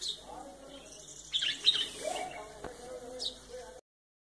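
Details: A White-eared Bulbul in Pakistan gives a few short, bright chirps in quick bursts, over a low murmur that may include faint voices.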